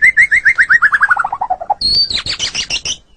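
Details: White-rumped shama song from a master recording for training pet songbirds; a loud run of about twenty clear whistled notes sliding steadily downward, then a burst of higher chattering, twittering notes.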